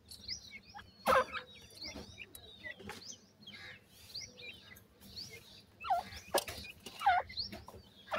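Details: White (gora) teetar francolin chicks calling while feeding: many short, high, thin chirps and upslurred peeps overlapping, with a few sharp broadband knocks and pecking taps, loudest bursts near one second and around six to seven seconds.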